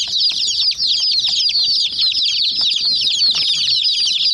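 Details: Numerous hen chicks crowd around a white mini jeep toy, giving an unbroken chorus of bright, high, falling peeps, dozens per second, with faint pecks and knocks.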